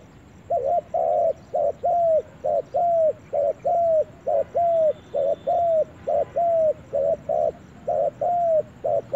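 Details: Low hollow cooing of a spotted dove in a forest, a long steady string of short arched notes roughly twice per second, clean and even against faint hiss.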